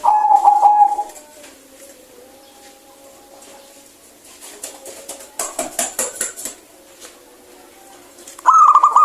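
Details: Local zebra dove (perkutut), a strong, lively singer with a clear voice, gives soft cooing notes that are loudest at the start and end. Quieter rolling coos and some rustling fall between them.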